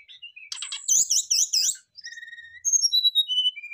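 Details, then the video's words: Brown-chested jungle flycatchers answering one another: a fast series of looping, warbled notes, then long thin steady whistles and a scatter of high descending tones. "rata rata srdc langsung sahut sahutan ngeplong bongkar isian ,pancingan tercepat srdc gacor"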